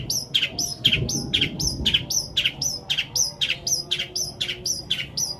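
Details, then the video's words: Long-tailed shrike delivering its fill song of sparrow, petir and kuntilanak imitations, meant to prompt shrikes that have stopped singing; sharp squeaky notes with a falling tail repeat about twice a second, steady and chirpy, against a soft background rumble. "CENDET ISIAN GREJA PETIR KUNTILANAK COCOK BUAT PANCINGAN CENDET MACET BUNYI"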